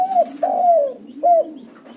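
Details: Spotted dove lure call: the tail of one coo, a long mellow croon falling in pitch, and a brief clear coo after a short pause, over a soft, lower background coo and faint ticking.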